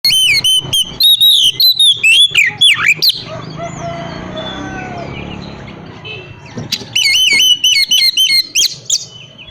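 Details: Oriental magpie-robin (kacer) whistling to provoke other magpie-robins into answering: loud, clear whistled phrases with rising and falling slurred notes repeated rapidly for three seconds, a quieter gap, then the phrases return strongly.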